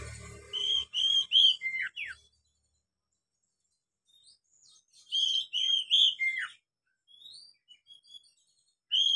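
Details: Oriental magpie-robin song, used as a lure to get beginner captive birds singing quickly: a phrase of clear whistled notes followed by quick downward-sliding whistles, given twice with a long quiet gap between.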